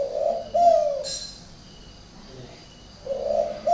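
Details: Spotted dove at a bird garden in Ba Vì, Hanoi, Vietnam, giving its unusual coo: the end of one low double-note phrase, a short click, a quiet pause, then the next mellow coo starting.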